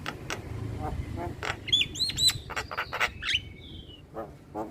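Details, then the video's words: Male Javan myna in a natural setting: rapid clicks interspersed with paired whistled upslurs and a drawn-out level whistle, over low background noise. "Suara Alam Jalak Kebo Jantan"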